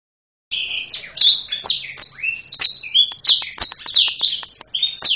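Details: Black-throated canary (Serinus atrogularis) singing actively while spreading its wings: a fast, varied run of high whistled and trilled notes, rising and falling slurs tumbling together with short pauses, loud and clear against a quiet background.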